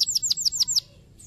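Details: Canary song intended to stimulate other canaries: six clear, high, downslurred whistled notes in quick even succession, then a brief pause and one faint note.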